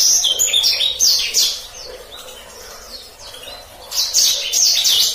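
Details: Black-throated canary singing a rolling gacor ngeroll master song for canaries: quick high whistled sweeps and trills, a softer middle stretch of quieter notes, then a loud renewed flurry.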